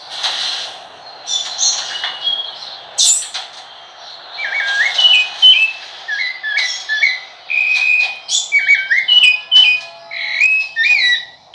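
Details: Rufous-bellied thrush song: after some scratchy high notes at the start, a long series of pure whistled phrases, many with a rising or dipping inflection, follows at a steady pace against a low background hum.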